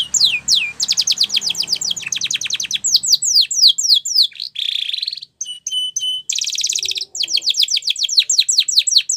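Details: Spanish Timbrado canary song for training young canaries: rapid falling whistled notes repeated in fast series, switching to buzzy rattles and metallic clicking phrases, then back to quick descending trills.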